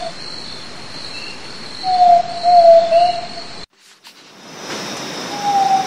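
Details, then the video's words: Zabele tinamou (Crypturellus zabele) song: a long, low, pure whistle that wavers slightly, then a second whistle begins near the end, over a steady high insect drone. "CANTO DA ZABELÊ"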